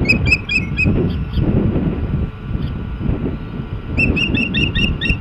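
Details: Ospreys at the nest on a nest camera, 14 April 2016: short bursts of sharp, rapid whistled chirps at the start and again near the end, separated by a steady low rumble of wind or background noise.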